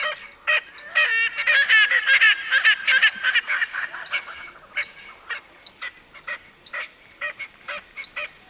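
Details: Erckel's francolin giving a loud, harsh cackle: grating notes speed up into a rapid rattling run in the first few seconds, then slow to separate rasping notes spaced about half a second apart.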